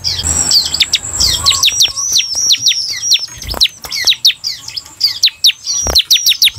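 Bar-winged prinia song: a fast, unbroken run of thin, high, downslurred chirps, several per second, with a faint sustained whistle early on.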